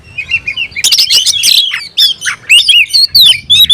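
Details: Oriental magpie-robin in a fighting mood, singing hard with tail spread: a harsh rasping burst gives way to clear rising and falling whistles repeated in quick succession.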